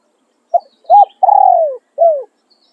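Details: Spotted dove used as a decoy for luring wild doves in Thailand, crowing in khan riak and khan yon styles: two short clipped coos, then a long slurred note falling in pitch and a shorter falling note. The background is quiet.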